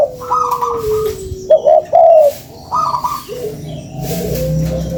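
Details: Spotted dove coo used for luring: a couple of soft, rounded hooted phrases with a drawn tone, fainter than usual, over a low background hum.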